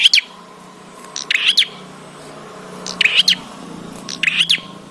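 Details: Bar-winged prinia singing in energetic bursts, meant to prompt prinias to sing: four clusters of snapping clicks and twittering buzzy notes spaced over the clip, a soft steady hum beneath.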